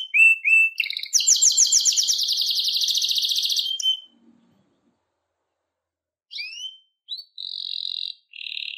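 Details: Canary song: two short whistled notes, a long loud rapid trill lasting about three seconds, a pause of silence, then scattered upslurred whistles and buzzy bursts.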